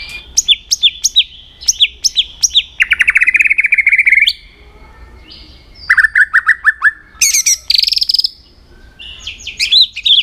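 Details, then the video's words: A white-rumped shama, trained to sing for fighting contests, delivers clipped whistled notes, then a rapid buzzy trill, a short pause, and more varied phrases with very high piercing notes near the end. "luyện giọng chòe lửa hót kích chòe lửa nhanh căng lửa"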